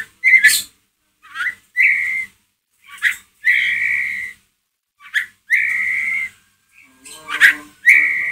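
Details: White-rumped shama ngeriwik call as a lure for another shama: sustained mid-pitched whistled notes, each introduced by a sharp clicking burst, repeated about every one to two seconds.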